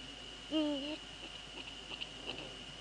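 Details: Eurasian eagle-owl in the Netherlands, a male visiting a female near the nest at night, 15 February 2013 around 04:40; one short wavering, slightly rising call with harmonics, over a steady high electronic whine and faint ticks.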